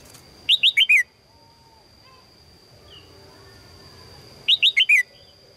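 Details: Female red-whiskered bulbul attracting a strong male: two bursts of four rapid, falling chirps about four seconds apart, a faint note between them, and a continuous high electronic whine.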